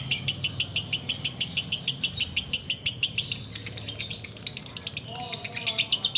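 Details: Fast, regular string of sharp high notes from a sooty-headed bulbul singing ngekek, about three per second for several seconds, then looser, more varied chatter with a few lower notes.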